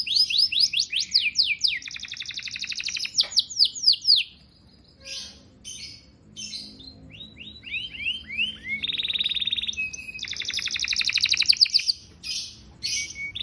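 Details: Canary song used to encourage mating: loud, high trilled phrases with rapid repeated rising and falling notes, buzzy rolls and pauses between bursts.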